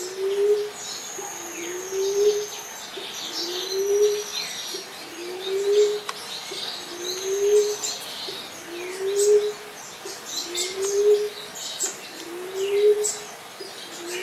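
Common Emerald Dove giving soft, low, slightly rising hoots repeated steadily about every 1.8 seconds, with faint higher bird calls and insects in the background.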